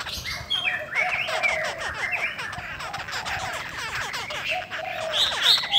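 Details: Female Chinese hwamei of the cow-skin form, voice said to strongly stir male birds: continuous rapid chatter of repeated slurred notes, closing with high whistled phrases.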